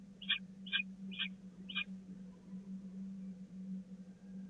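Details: At the Catharinakerk nest on 16 April 2019, a peregrine falcon chick begs at feeding time. Four short, harsh screeches come about half a second apart, followed by quiet with only a low steady hum.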